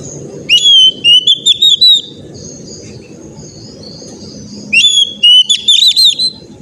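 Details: Oriental magpie-robin singing, played as therapy to get young birds singing: two matching whistled phrases about four seconds apart, each a rising, stepped series of bright notes, with soft hiss and low rumble between.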